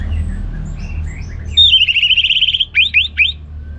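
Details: Orange-headed thrush, a kept songbird from Singaraja, Bali, gives a loud ngeplong burst: a fast trilled warble held at one pitch, then three sharp downward-slurred whistles, over quiet low hum.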